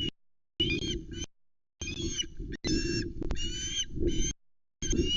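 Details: Young Osprey on the Loch Arkaig nest, 17 August 2020, begging for fish from its father, caught by a nest camera: long, strained, wavering screams in separate bursts over heavy, rumbling wind buffeting.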